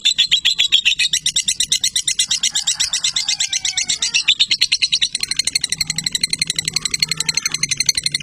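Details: Lovebird singing a long, continuous run of shrill, squeaky chirps, about four per second, the rhythm quickening and turning buzzier toward the end, with soft lower warbles underneath.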